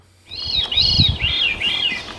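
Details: Veery in Sax-Zim Bog, Minnesota, on a May 14 field trip, sings its downward spiral song: airy, ringing phrases, each arched note stepping lower in pitch over about two seconds, over a low rumble of background noise.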